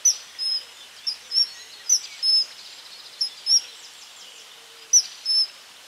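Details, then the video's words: Common kingfisher giving a run of sharp, thin, high-pitched whistles, single or paired 'tsee' notes repeated roughly every half second, shrill and clean against faint steady hiss. "Vögel und ihre Stimmen - Eisvogel"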